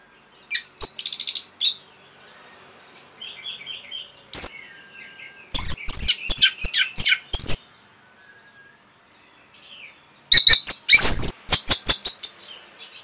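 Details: Song of an Orange-headed thrush as a masteran for caged birds: bursts of rapid, loud chirps and trills, alternating with quiet warbled passages and short silences.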